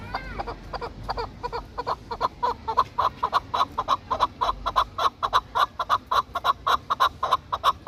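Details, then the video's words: Hunting and fighting chukar partridge calling a long, regular series of loud, clipped chuck notes that steady into an even, rapid beat lasting several seconds. "Кабки Шикори"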